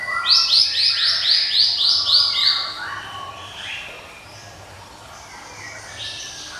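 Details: Java sparrow song with a ringing voice: a fast, regular run of about ten sharp, bright high notes, four a second, fading into softer, lower warbled notes.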